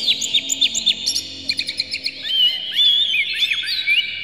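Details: Agitated oriental magpie-robin (kacer), tail fanned, singing to trigger rival magpie-robins: a fast series of short falling whistles roughly twice a second, then a long sweet warbled passage with sliding, wavering notes.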